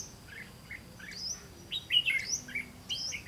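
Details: Red-whiskered bulbul recorded during bird trapping on 18 September 2016, giving short whistled, slurred notes that rise and fall, scattered through the clip with louder bursts near the middle and end, over a low background hum.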